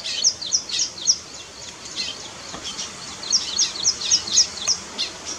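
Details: Weaver bird at work on its nest, giving rapid high chirps in two bursts with a softer, quieter stretch of chatter between them.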